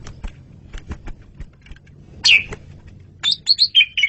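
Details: Asian pied starling (jalak suren) singing for a master recording: after a stretch of clicking and low background noise, loud squeaky descending notes and a string of short bright whistled chirps.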